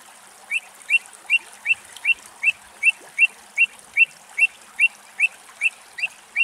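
Pied avocet giving clear, fluty "kluit" notes, each a quick rising-then-falling whistle, repeated steadily about two and a half times per second.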